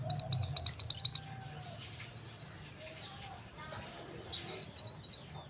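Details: Mountain white-eye calling to attract males. A loud, fast series of bright chirps opens, followed by softer, scattered bursts of high twittering notes with pauses between.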